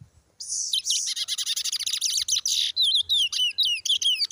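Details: Brown towa towa, Guyana, 2023, in full song: a dense rapid chatter of buzzy trilled notes giving way to clear, sweeping whistled slurs, repeated steadily.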